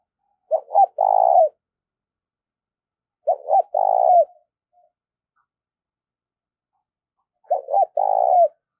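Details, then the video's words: Decoy spotted dove cooing to call in wild doves: three identical phrases about three seconds apart, each with two quick low notes then a longer steady coo, in otherwise silent surroundings. "Tiếng chim cu gáy mồi gáy gọi bổi mới"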